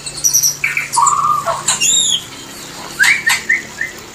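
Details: White-rumped shama mating song used as a lure to bring shamas into breeding; brief burst of whistled notes and high chips, then short rising whistles repeated about every half second.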